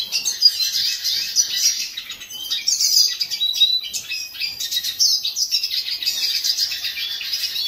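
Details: A hooded siskin (Spinus magellanicus) sings a long, fast, twittering song of high, scratchy trills and chirps that runs on without a break.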